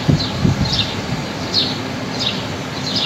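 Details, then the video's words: High, short down-slurred bird chirps, about four or five spread over three seconds, recorded outside on a fine, breezy day among trees. Low wind noise and a few rustling bursts at the start. "Ganda pakinggan ng huni ng mga ibon"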